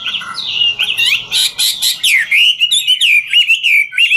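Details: Chinese hwamei in 'ngũ trường' style, singing while dancing: opens with buzzy, rasping notes over a faint background, then smooth wavering whistles rolling up and down in quick succession.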